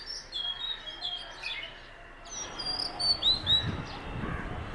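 An Oriental Magpie-Robin sings a varied run of clear, high whistles and sweet chirps, some phrases sliding up or down, over a low background rumble.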